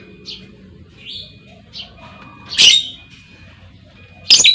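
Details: Female lovebird calling to lure others into trilling; a few faint chirps build to two loud, shrill squawks near the end, over a low background hum.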